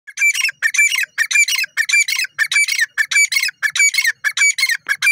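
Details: Grey francolin, known locally as teetar or Irani teetar, calling loudly: harsh, ringing bursts with a strong rasping tone, given in a fast, steady series of about ten in five seconds, with nothing else audible behind it.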